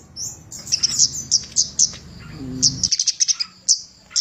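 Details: Javan cochoa song used as a master recording to train songbirds: bright, high whistled notes, some in quick clusters, with soft low rumbling beneath.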